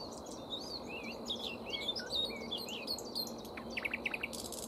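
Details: Nightingale singing near a tree where a grey warbler feeds on leaves and flowers: a quick run of varied whistled slurs and chirps, some rising and falling, ending in a fast dry trill of repeated notes, with a steady high insect-like hiss behind.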